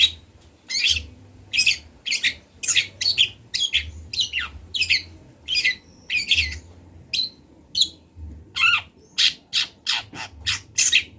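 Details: Caged long-tailed shrike, local Kendal bird from Indonesia, in a training recording: steady series of harsh, squawking, noisy bursts at about one per half second, with a few descending notes and faint hum.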